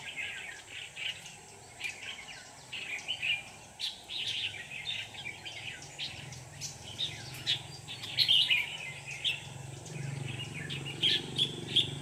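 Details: Red-whiskered bulbul decoy singing during a trapping session on 24 November 2018 to lure wild bulbuls into a trap; bright chirpy phrases come in quick bursts one after another, with steady insect-like hiss and low rumble behind.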